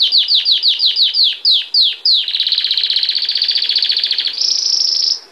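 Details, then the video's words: Belgian canary singing a lot in campainha, bell style: a run of about ten falling whistled notes, then a long rapid rolling trill, switching to a higher sustained trill that fades out. "Canário belga cantando muito campainha"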